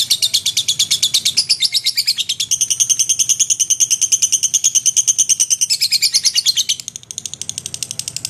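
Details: Lovebird in energetic song meant for teaching magpie-robins: dense, shrill, rapidly repeated chirps that merge into a ringing trill in the middle, then ease slightly near the end, with faint low hum.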